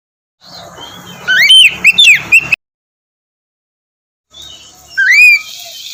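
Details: White-rumped shama (kacer) song played in the morning to coax a reluctant bird into singing: two short bursts of loud, clear whistled notes with sweeping upslurs, separated by nearly two seconds of silence.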